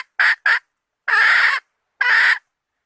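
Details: Female red junglefowl lure call meant to draw males: two quick, sharp clucks, then two longer harsh squawks separated by short silences.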